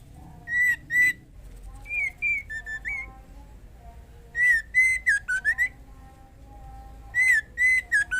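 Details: Female white-rumped shama in breeding condition calling the male: clear whistled notes near one pitch, some slurred and falling, given in short bursts of two to five with pauses between groups.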